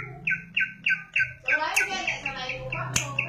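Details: Greater green leafbird, known locally as cucak ijo, giving a lively 'gacor' run of short downslurred chirps repeated about three times a second, then blurring into a faster jumble, over a low hum and a faint murmur of voices.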